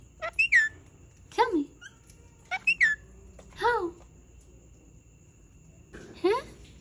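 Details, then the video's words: Angry Indian ringneck parakeet giving sharp, high, downward-sweeping squawks in short bursts, some doubled, with a person speaking softly between calls in a small indoor room. "ANGRY INDIAN RINGNECK SOUNDS"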